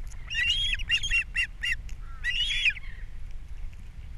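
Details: ['Nesting osprey on Captiva, 3 April 2022, breakfast fish delivered and the young being fed: a shrill squeal leading into a string of clipped whistled chirps, then a second drawn-out squeal, with a low rumble underneath.']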